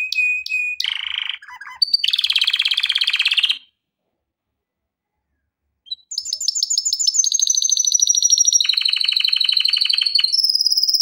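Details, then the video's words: Male canary singing, a recording meant for song training: sharp chips and a buzzy rattle, then a pause of about two seconds, then bright rapid trills and sweet high whistled rolls that sustain to the end. "کنری مست برای آموزش/کنری واتر/کناری نر#kenari / آواز خواندن کنری"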